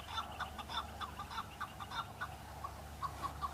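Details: Male chukar partridge in fighting season, calling back to rival males while displaying to attract females; sharp clucking chuk notes repeated about three times a second in an uneven run, with a low steady hum underneath.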